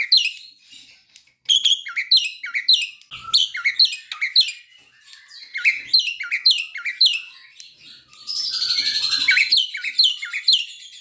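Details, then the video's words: A young Javan myna learning to sing gives a fast, continuous stream of high chirps and downslurred whistles, broken near the end by a harsh buzzy rasp. "Jalak kebo muda belajar bunyi"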